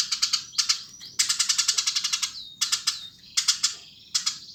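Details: Energetic chirping from a Eurasian tree sparrow: a few quick sharp notes, then a long fast string of harsh chirps, followed by shorter clusters of two to four chirps with thin slurred notes between.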